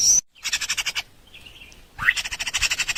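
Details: Baby birds in a nest begging for food at feeding time: two bursts of rapid, harsh chirping pulses, about eight per second, separated by a brief pause with a faint softer call.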